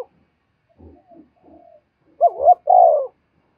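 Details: Spotted dove, calling to stir up fighting: faint soft mutters, then a loud phrase of a wavering double note and a long, hoarse, slowly falling coo.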